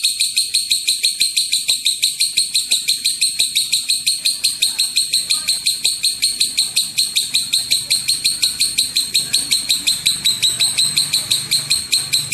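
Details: Lovebird pouring out a long ngekek, a lure sound for provoking other lovebirds to call: some thirty-five shrill rasping chirps in an unbroken rapid chatter, about three per second.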